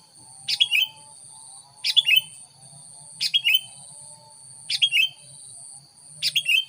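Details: Sooty-headed bulbul lure call meant to draw in wild bulbuls: quick bright chirped phrases of a few descending notes, repeated roughly every one and a half seconds, with a constant high-pitched hum and soft low rumble behind.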